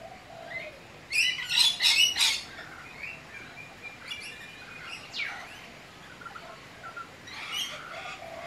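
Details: Eastern whipbird (Psophodes olivaceus), one of a pair coming daily for breakfast, likely the lookout calling while the other feeds: a burst of sharp, high chirps, then scattered short calls against a quiet outdoor background.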